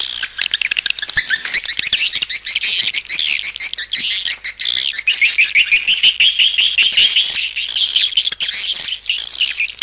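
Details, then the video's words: Continuous high twittering from swiftlets as a lure call, with wavering trills mid-way and rapid clicks running through the whole passage. "SUARA PANGGIL BURUNG WALET"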